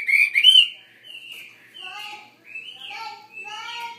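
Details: Chinese hwamei kept in a larger cage opening with two loud looping whistles, then a string of softer, drawn-out whistled notes spaced roughly every half second.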